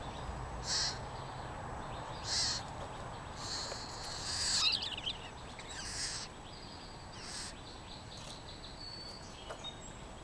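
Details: California scrub jay near its nest in early April, recorded on a GoPro Hero3+: a series of harsh, raspy bursts at irregular intervals, with a louder cluster midway, mixed with faint chirps and thin whistles from other birds.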